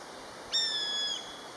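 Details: Common buzzard, one of a pair calling to each other: a single high, drawn-out mewing whistle lasting about half a second, sharp onset then steady and slightly falling, with faint background hiss.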